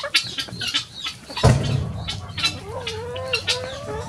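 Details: Chickens bursting from their coop in the morning for free ranging; a loud thump of flapping wings, then wavering squawks and scattered sharp clucks.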